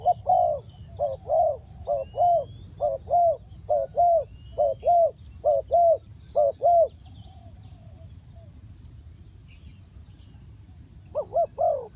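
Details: Spotted dove call used to lure birds into traps: a run of short paired coos repeated about every half second for seven seconds, a pause, then the coos resume, with faint distant chirping birds.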